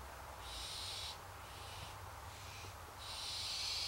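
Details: Begging from hungry barn owls, a series of rasping, breathy shrieks in short bursts separated by brief gaps, the last one loudest, with a low background hum.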